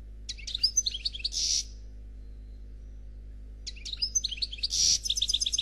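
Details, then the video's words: European goldfinch, caged, giving Khalwi-type song: a short twittering phrase ending in a harsh buzzy note, a long silent gap, then a second phrase with a buzz and rapid tinkling repeated notes. "Chardonneret Noir Khalwi Chant sans fautes"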